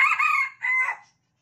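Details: A tame caged Sumatran red junglefowl crows in exchange with the males sharing its cage. A single short, hoarse crow in two parts, a strong first phrase and a slightly lower second, then silence.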